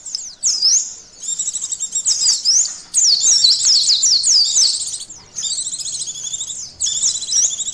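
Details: Bursts of high, fast white-eye chatter used to test emotion and arousal: several phrases of slurred chirps and trills separated by short pauses, the middle phrase loudest and longest.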